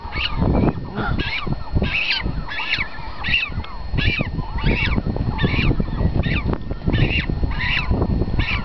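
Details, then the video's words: Cormorant chick being fed by its parent, giving loud repeated harsh honking, rasping begging calls roughly twice a second, broad noisy bursts, with splashing and low rumbling background noise throughout. "Cormorant feeding her chick"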